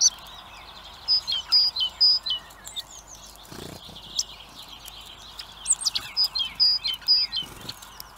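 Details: Baby blackbirds begging for food at a feeder camera site in Recke, Germany: two bouts of rapid, high, flat piping whistles, roughly two per second, separated by a quieter pause with a soft thump.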